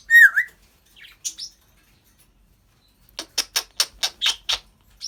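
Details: African grey parrot gives a sharp, dipping whistle and a couple of soft chirps, then, after a pause, a rapid string of about eight clicking, laughing-like pulses.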